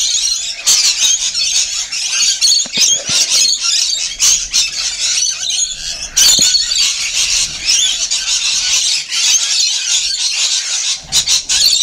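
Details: Rainbow lorikeets at feeding time, a constant wall of high screeching and squabbling chatter, many birds calling together with occasional sharper clicks.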